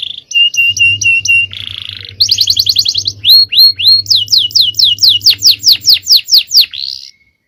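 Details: Canary, a male, singing 'cengkok jawara' champion song: clipped paired notes, a buzzy burst, fast trills, then a long loud series of high descending whistles before it falls silent.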